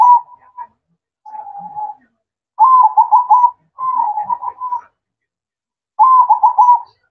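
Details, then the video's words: Zebra dove singing its manggung song at night: low, mellow coos with quick rolling trills, delivered in short phrases separated by pauses of about a second, in a quiet indoor-sounding setting. "Suara Merdu Perkutut Manggung Di Malam Hari"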